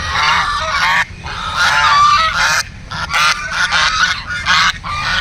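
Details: Loud, raucous duck calls in long overlapping runs of rough, nasal honking, broken by brief quieter gaps around the first and third seconds.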